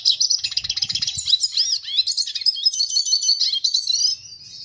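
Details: Rapid, high-pitched warbling from a red siskin: dense runs of thin chirps mixed with short upslurred and buzzy notes, fading out at the end.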